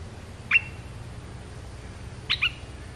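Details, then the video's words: Red-whiskered bulbul, a territory owner, heard in a lure call: two short, bright whistled notes with a quick downward flick, about two seconds apart, over a quiet low hum. "เสียงต่อนกกรงตาแดงEp.242 จ้าวถิ่นชัดเจน"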